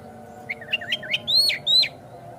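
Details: Lure song of an Oriental magpie-robin (kacer), meant to provoke another kacer to sing and open its tail: quick chattering slurred notes building into two longer, loud, clear whistles that bend downward, against a low steady hum.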